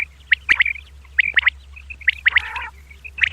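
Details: Female common quail calling at dawn: short sharp paired and tripled notes, fairly high and clipped, given in irregular bursts, with one harsher rasping chatter in the middle and a faint low hum behind.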